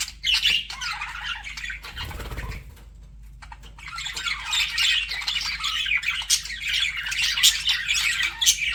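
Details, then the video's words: Pet budgies flirting, their chattering falls silent for about a second and a half after a soft low thud, then resumes as busy twittering with sharp squeaks. "BUDGIES FLIRTING"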